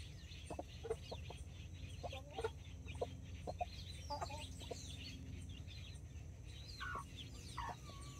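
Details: Two mother hens with nine chicks, four mini chickens and five Brahma babies, in a Colombian backyard on October 24, 2024. Short low clucks come at irregular intervals beneath frequent thin, high, rising-and-falling peeps, over a steady low background hum.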